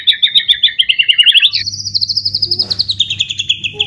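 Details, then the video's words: White-rumped shama in imitative song meant to set other shamas singing: a descending series of rapid doubled chirps, then a steady buzzy high trill that slowly falls in pitch, over a faint low hum. "murai batu gacor full isian"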